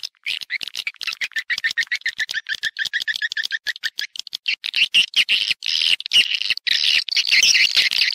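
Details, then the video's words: Swiftlet lure call for drawing birds into nesting houses: a quick series of short, clipped chirps, about two per second, then a denser, louder stretch of high twittering from many birds. "ÂM THANH CHIM YẾN HIỆU QUẢ NHẤT"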